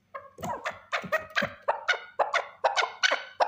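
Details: A single male chukar partridge calling, suited to hunting use: harsh, chuckling notes in bursts about every third of a second, each a broad rasp with a strong band in the mid range. Background is quiet.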